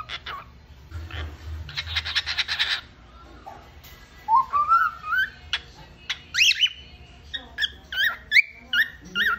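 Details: A hand-fed pet cockatiel gives its daily whistling: clear rising whistles, then a string of short, chirpy whistled notes.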